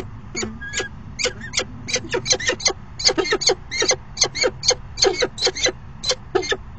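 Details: Falcons at their nest box during a short afternoon courtship dance, 29 September 2016; an accelerating, dense series of loud harmonic chips, nearly continuous in the second half, with faint low background noise.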